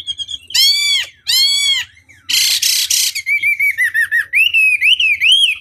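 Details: Chinese hwamei lure recording to trigger a rival's response. Two loud, ringing, arched whistles, a harsh buzzy rasp, then a quick series of short repeated notes and swooping whistles.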